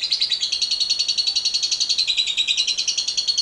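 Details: Lovebird giving 'ngekek panjang', a long chatter used to prompt other lovebirds: a continuous shrill rattle of quick pulses, about three to four per second in loudness swells, unbroken throughout.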